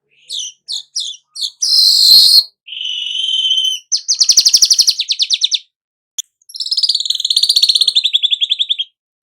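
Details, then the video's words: Weaver song meant to spur a caged bird into steady singing: quick high chirps lead into long buzzy rattling trills and a drawn whistle, with phrases separated by clean silence. "burung manyar anda akan jadi GACOR NYERUT"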